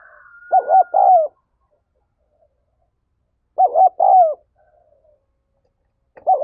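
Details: Spotted dove calling to excite decoy birds, pairs of throaty wavering coos repeated about every three seconds, with a faint whistle at the start and soft murmurs between phrases.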